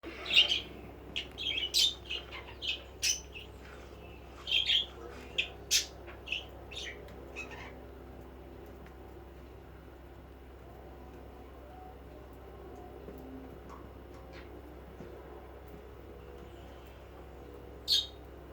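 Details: Budgerigar pair, apparently courting, give short, bright chirps in a quick scatter, then fall quiet over a low indoor hum.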